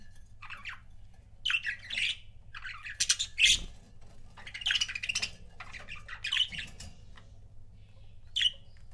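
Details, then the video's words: Budgerigar couples indoors give continuous scratchy warbling chatter, rasping squawks and short whistled notes in overlapping bursts, with a brief low thump near the middle. "CUTE BUDGIE COUPLES"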